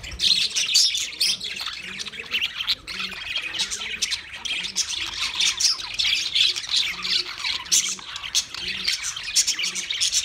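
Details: Household budgies keep up a long run of scratchy, chirruping warble, thick with overlapping voices, over soft low tonal sounds that recur throughout.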